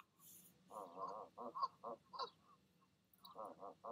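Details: Nesting goose pair, head-bobbing and arguing before urging their goslings to leap: a series of short gruff nasal honks in uneven clusters, with faint high peeps in between.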